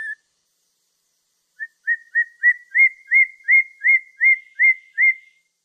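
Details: Black-throated laughingthrush song: a run of about eleven short whistles that begins soft and swells louder, each note slightly rising, delivered at a steady pace of roughly three per second.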